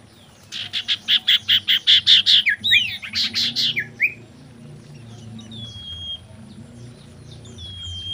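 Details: Common iora, a female in mating mood used as a lure call: a rapid regular series of loud, sharp high notes lasting about three seconds, then scattered faint whistles over a low background hum.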